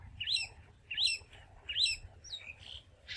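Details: Long-tailed Shrike calling in Bangladesh, a bird of open fields, posts and bushes. Harsh, raspy, downslurred notes with strong overtones, given about every 0.7 seconds, five in all, over a low background rumble.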